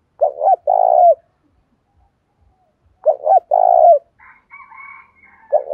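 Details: Spotted dove of the đồng pha type, cooing to push decoy birds to call and fight. Repeated two-part coos about three seconds apart, with another bird's higher chirping twitter between phrases.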